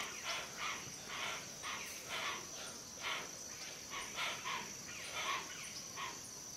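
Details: Rough, wheezy hoatzin notes, each a brief swelling rasp, repeated irregularly every half second or so. A continuous high whine lies behind them.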